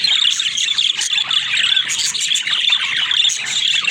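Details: Several pet budgies chattering nonstop: bright, buzzy warbles and sharp squeaky notes layered thickly over one another, loud and unbroken.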